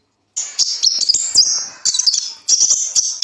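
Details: Kolibri ninja sunbird song with twisting 'liukan' and 'besetan' phrases, used as a master recording to prompt young birds to sing: high, thin, rapid twittering and warbled trills in bursts, short pauses between phrases.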